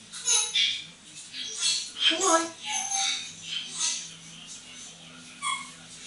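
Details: Female African grey parrot, eight years old and hand-trained, having fun on a towel rail in a bathroom while moulting; a run of raspy, speech-like squawks and chatter, then a short clear whistled note near the end.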